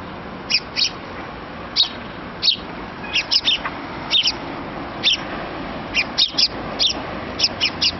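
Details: Young sparrow chick begging its parents for food, loud high chirps in short bursts of one to three notes, repeated irregularly over a steady background hiss.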